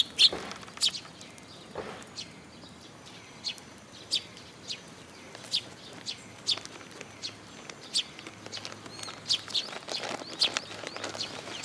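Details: Several Eurasian tree sparrows coming to a post-top feeding spot at a Tenmangu shrine on 26 June 2022; brief bright chirps sound every second or so, with a soft outdoor rumble beneath.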